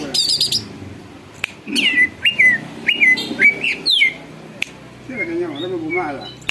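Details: Greater green leafbird singing vigorously, its song said to provoke other birds into singing and agitation: loud falling whistled notes repeated about every half second, with softer wavering warbles lower down and a sharp click.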